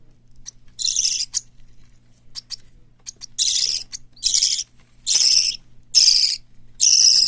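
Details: Hand-reared parrot chicks indoors: young white lovebird, cockatiel and budgerigar. Harsh, raspy, hissing bursts roughly once a second grow louder and longer toward the end, with faint chirps between them and a low mechanical hum beneath.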